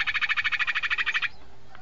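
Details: Sirpu bird call used as a lure for catching birds: a fast, even, buzzy trill of about fifteen pulses lasting just over a second, then quiet.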